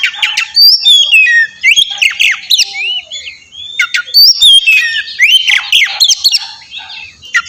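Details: Oriental magpie-robin song meant as a lure to trigger replies: lively stream of slurred whistles, squawky notes and sharp clicks in two dense bursts separated by a brief quieter gap.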